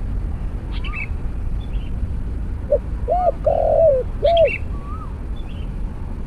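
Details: Spotted Dove cooing during trapping with a snare cage and decoy: short coo, arched coo, long rolling coo and a final arched note, mixed with thin rising whistles and chirps from other birds.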